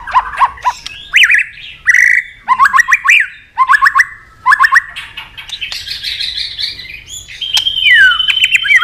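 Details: Worked-up white-rumped shama, tail-flicking on its perch, delivers a run of rich rising whistled notes repeated in quick bursts, then higher buzzy trills and a long thin whistle.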